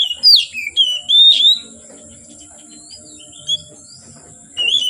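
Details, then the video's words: Oriental magpie-robin heard from afternoon into darkness: loud, sharp whistled notes in a quick cluster, then a soft, faint note or two, and another whistle after a long pause. "Kacer Gacor Sore Sampai Gelap Malam tetap Bunyi Gacor"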